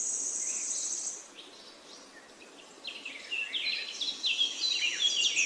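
Orange-spotted bulbul giving a quick run of bright, chattering notes that tumble up and down. A high, steady insect buzz fills the opening second.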